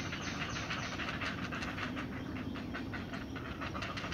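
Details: Great blue heron chicks anticipating their mother's return with breakfast: rapid rattling series of dry, clicking pulses over a noisy, hissing background.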